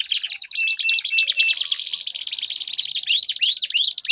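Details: Canary singing to encourage a silent canary: a rapid rolling trill with short flat whistles, then a run of rising-and-falling arched whistled notes.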